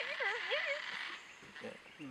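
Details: A Yellow-tailed black cockatoo on the way to Russell Falls, Tasmania, in mating season gives a loud, wavering wail that rises and falls in pitch for under a second, followed by a man speaking.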